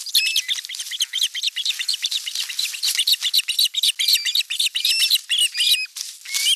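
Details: At a Western Finland osprey nest in the Satakunta region, 5 August 2024, as fish is delivered and the elder chick attacks its younger sibling, dense overlapping high chirps pour out about four per second without a break.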